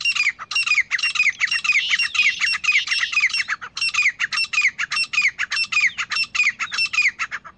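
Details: Grey francolin pair calling continuously: loud, harsh, rhythmic ringing notes, each with a falling whistled element, overlapping in a dense chorus, about two per second.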